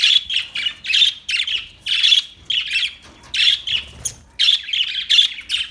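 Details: Budgerigar chirping in a steady stream of buzzy, scratchy warbles, short bursts repeating about twice a second, loud and close with a quiet background.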